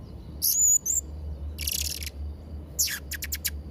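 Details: Blue-crowned hanging parrot song meant for tutoring young birds: high, shrill whistled notes, a harsh hissing burst, then a quick series of sharp high clicks, with a constant low hum underneath.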